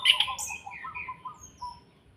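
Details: An orange-headed thrush in Salatiga sings kretekan style to rouse other birds: loud high chattering notes at first, then a run of thinner warbled and whistled phrases fading out.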